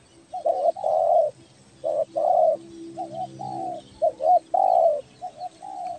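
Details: Kepri tekukur belah dada, a spotted dove calling vigorously for luring: a rapid run of paired short coos and longer drawn-out coos, about six phrases in steady succession over a low hum.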